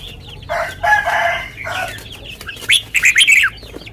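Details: Caged red-whiskered bulbul singing a sweet song in the lak wai style: loud, clear whistled notes rising and falling in a quick burst near the end, after harsh rushing noise, over constant chatter of other bulbuls.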